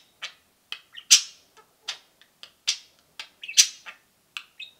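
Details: Two pet budgerigars peeping and cheeping; spaced, scratchy cheeps and high squawky chirps with short silent gaps, a few louder harsh notes standing out, nothing else heard.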